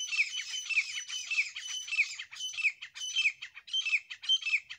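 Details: A pair of grey francolins, known locally as desi teetar, calling together: a steady run of loud, harsh, grating notes repeated almost twice a second, each rasping and squawky, with no other sounds.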